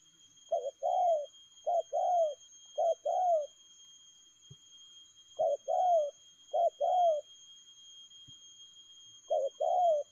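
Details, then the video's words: Fast "lèo gù" cooing by a spotted dove: repeated two-part phrases, a brief note then a longer descending coo, delivered in quick succession with occasional soft clicks between. "Nết chơi nhanh lẹ, gù tốc độ.Clip445/ Nước chơi lèo gù."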